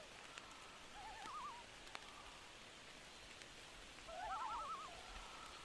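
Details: Loon calling on a rainy night: two bursts of wavering, quavering tremolo notes, one near the start and a louder one toward the end, over steady rain patter.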